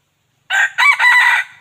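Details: Crow of a wild junglefowl cock, played to draw wild birds in: a strident, ragged call that starts abruptly, breaks into a short burst and then a long drawn-out phrase, cut off near the end, with no other sounds.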